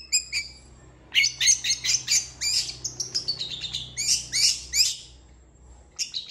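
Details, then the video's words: Long-tailed shrike singing a lively varied song of high chirps, scratchy trills and sharp squeaks in fast succession, with a faint steady hum in the background. "CENDET GACOR FULL ISIAN CEPAT DI RESPON PENTET LAIN"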